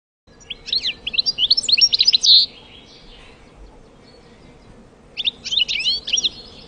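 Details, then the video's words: A European goldfinch sings a rapid, liquid jumble of tinkling twitters and buzzy trills in two bursts, with a faint steady hum behind. "Черноголовый щегол / Goldfinch. Голоса птиц"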